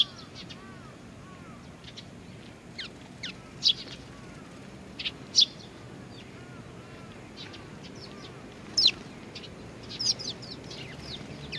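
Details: Young birds waiting for their parents, Tenmangu, Nakanoshima, recorded 25 June 2020: scattered thin high chirps and short downslurred notes, a few louder piercing ones, with softer arched calls lower down and faint murmuring.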